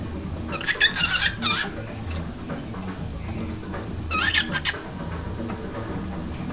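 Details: A female pet cockatiel, indoors and pushing up against a computer printer, gives short bursts of chirpy, warbling squeaks against a low indoor rumble.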